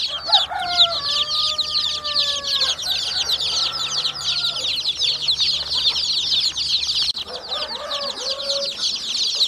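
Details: Chicks chirping as a crowd, constant high peeps throughout, with several drawn-out, lower, gently descending calls early on and a brief warbling cluster later; a faint steady hum underneath.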